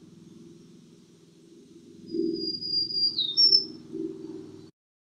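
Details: Black-throated Green Warbler (Setophaga virens) song: a short run of high, buzzy notes that slur down and then back up, over a steady low hum.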